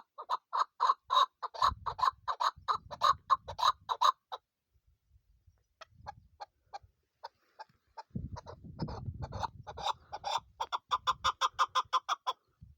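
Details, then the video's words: Captive female chukar used for hunting calls in rhythmic runs of clipped, clucking notes, about three per second, pausing midway with a few scattered notes before a faster, denser run resumes over low rumble. "female shikari chakor ki awaz sound"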